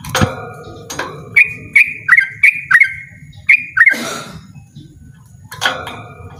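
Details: Yellow-vented bulbul giving loud ropel song: a run of short clear notes with sharp clicks, about one a second, broken by bursts of rustling noise and a low background rumble.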